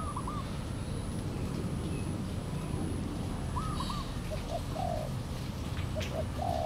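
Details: Wild spotted dove approaching a decoy at a trapping site in Valdor, Seberang Perai, November; a few scattered soft coo phrases, fainter and spaced out, over constant low rumbling noise.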